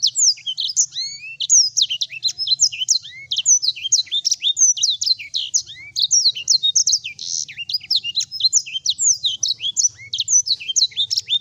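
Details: Lively Sanger song recorded to tutor other birds: a long, dense run of quick, sharp chirps and upward-sweeping whistles, almost without pauses, over a soft low hum.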